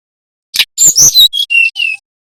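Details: Bali-type brown-chested jungle flycatcher, nyiul or nyuling style, a lure for training young birds: rapid scratchy chirps running into three level, high whistled notes.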